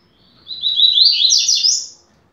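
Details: Double-collared seedeater song used for teaching young birds, a fast-billed singer: a bright, rapid run of high twittering and warbled notes lasting under two seconds, rising slightly toward the end, with no other sounds.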